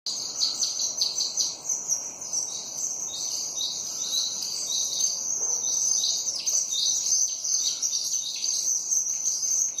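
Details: Sparrows in a dense, continuous chorus of high, overlapping chirps and tweets from many birds, with steady background hiss throughout.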